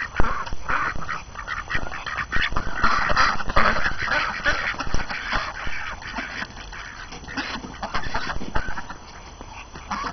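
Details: Domestic ducks on a January 6, 2012 morning after the year's first snow, hungry and tired of being cooped up, chattering: dense, overlapping rough quacks in rapid bursts, loudest at first, over steady broadband background noise.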